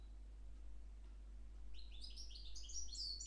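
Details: Goldfinch (parva) x Timbrado canary hybrid mule singing, recorded 10 February 2011; after a quiet start, bright high twittering phrases begin midway and run quickly to the end over a low steady hum.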